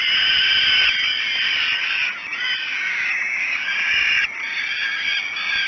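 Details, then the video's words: At Great Spirit Bluff on 5 June 2016, falcon chicks beg during a breakfast feeding at 06:54. Their rasping screams overlap almost without pause, swelling and dipping, with a short drop in loudness near the middle. "Breakfast 3. Great Spirit Bluff Falcons"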